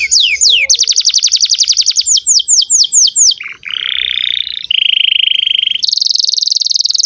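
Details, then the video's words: Canary song meant to stimulate young canaries: a few falling whistles, a fast rattling trill, slower looping sweeps, then low rolling churrs and long level buzzy trills. "Pancingan kenari gacor buat kenari paud"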